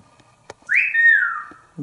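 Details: Pet African Grey Parrot, hatched 1997, in a family room of a Texas home, playing on a perch near its owner. It gives one loud clear whistle that rises sharply, holds, then slides slowly down. Soft clicks come before and after.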